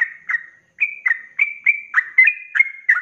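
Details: Trucuk, the sooty-headed bulbul, delivering fast 'ropelan' song used as a tutor for cage birds: clipped warbling whistles in quick succession after a brief pause, each note sliding down, with no other sounds.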